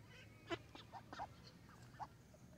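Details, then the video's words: Young mallard ducks by a pond shore in Vantaa, Finland, giving a few short, scattered calls, one louder sharp note followed by softer peeping notes, over low background rumble. "Young mallard ducks"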